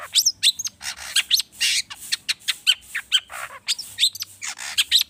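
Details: Rich mimicry from an agitated long-tailed shrike, played to get other birds singing: dense rapid sequence of chirps, whistles and scratchy bursts, almost continuous with barely any pause.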